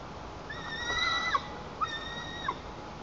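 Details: A juvenile White-tailed eaglet in its nest in Lower Kama National Park, Tatarstan, on 21 July 2023, throwing a tantrum, jumping and flapping to defend the nest from its mother on a nearby branch. A drawn-out harmonic wail falling away, then three sharp yelps, over a faint hiss.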